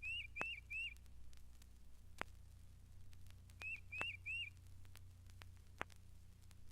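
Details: A Tufted Titmouse, a regular visitor to the feeders at Mountain Lake Sanctuary, Lake Wales, Florida, sings two bursts of three clear, whistled, downslurred notes, a bright peter-peter-peter, over low hum and occasional crackling clicks.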